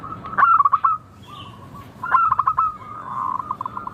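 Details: A local zebra dove gives two clear song phrases, each a quick series of clipped, ringing coo notes that break into a fast trill, followed by fainter bubbling notes.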